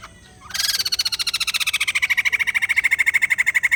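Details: Purchased white-crested laughingthrush, described as reluctant to sing. After half a second of near quiet, an abrupt loud outburst of rapid, grating, pulsed chatter starts high, drops a little, then holds steady.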